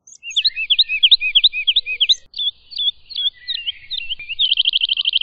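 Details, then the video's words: Woodlark singing: a fluting series of repeated downslurred and looping notes, about three per second, breaking into varied phrases and ending in a fast, even trill of rapid notes. "Woodlark Song! Woodlark Call! Woodlark Chirp! Woodlark Sound- Alondra Totovía Canto- Lullula Arborea"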